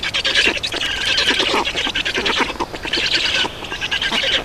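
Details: Black storks at a nest in Estonia on 31 May 2019 around 11:48, during a change of adults and feeding; harsh, raspy squawks repeat in quick bursts, with short gaps, over a faint outdoor background.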